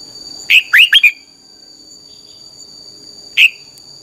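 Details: Red-whiskered bulbul singing a 'căng lửa' training song meant for teaching other bulbuls: four quick sliding whistled notes, a pause of over two seconds, then one lone note, with a high constant whine in the background.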